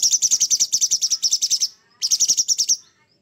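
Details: Cucak cungkok, the Sooty-headed bulbul, singing harsh rough material in gacor style: a rasping burst of about fifteen quick pulses lasting nearly two seconds, a short pause, then a shorter burst of about eight pulses.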